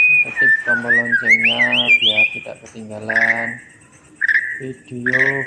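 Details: White-rumped shama song for tutoring birds that stopped singing: wavering whistled phrases over rich nasal harmonic notes, a pause, then short buzzy bursts repeated about every second.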